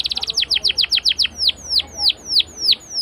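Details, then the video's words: Canary song meant as a teaching lure for juvenile canaries. A rapid burst of short chips gives way to slower, drawn-out descending whistles that grow more spaced and sliding toward the end. "PALING D CARI UNTUK PANCINGAN KENARI PAUD BELAJAR BUNYI!!"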